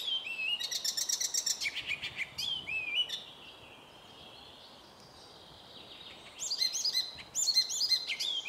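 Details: An icterine warbler sings in a birch grove: a fast, varied jumble of high chattering, whistled and scratchy notes.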